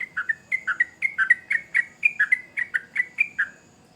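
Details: Lively chattering from a sooty-headed bulbul: crisp, slightly whistled notes alternating higher and lower in quick pairs, steady for about three and a half seconds, then fading, over a soft background hiss.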